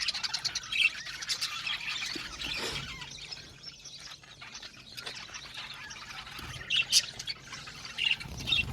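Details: Australian budgies in an aviary colony, many birds at once producing a dense, continuous wash of chirps, warbles and scratchy squawks, with a few sharper high calls standing out over the steady chatter.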